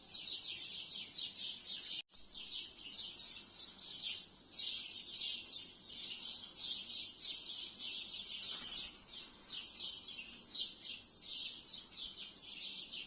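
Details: A twilight gathering of sparrows in the trees: many birds chirping at once in a high, busy, unbroken chatter that swells and dips, with a very brief cutout near the start.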